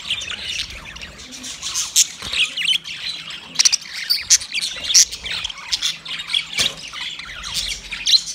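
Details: Budgie calling to another budgie: softer background twitter broken by distinct sharp high chirps and squawks, spaced irregularly, with brief quieter gaps.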